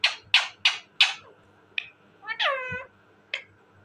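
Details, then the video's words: Talking parrot making four quick harsh squawks in a row, a short chirp, then a longer nasal call that slides downward, ending with one brief squeak. "talking parrot bird,parrot ki awazz"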